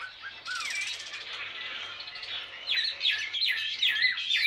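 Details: Wild-caught Chinese hwamei of blue-green plumage, two years in a cage, singing ngũ trường: a few soft whistles, then a burst of harsh noise, then bright rapid downslurred and upslurred whistled phrases.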